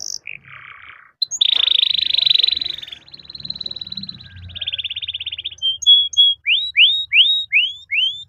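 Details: Canary performing a long song used to prompt other canaries: a harsh buzzy roll held for several seconds, a finer trill, short whistles, then repeated downslurred sweeps about once every half second.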